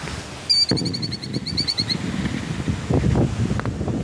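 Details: Mother killdeer calling while guarding her nest, a quick high trill of sharp repeated notes lasting over a second, then rustling, handling noise and a low rumble like a passing vehicle.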